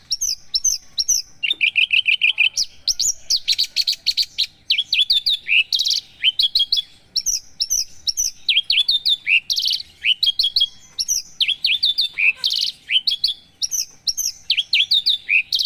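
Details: Javan bush lark, a caged songbird kept for singing contests, delivering a long, rich song of rapid chirps, trills and whistled notes, many mimicked, high-pitched and nearly continuous with brief pauses; no other sounds stand out.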